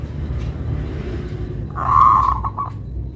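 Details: Local zebra dove giving a melodious song: one loud rolling coo followed by a few short clipped notes, over steady low rumbling background noise.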